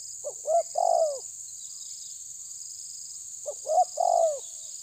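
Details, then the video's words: A spotted dove, tabir style, confronting a rival: twice gives two or three clipped notes rising into a longer falling coo, a few seconds apart, with a faint continuous high drone. "Terkukur menekan lawan bikin emosi ~TERKUKUR TABIR"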